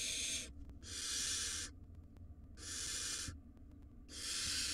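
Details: Wild barn owl young, five in a nest box, beg noisily to their parents with long breathy hisses lasting about a second, repeated four times with quiet gaps.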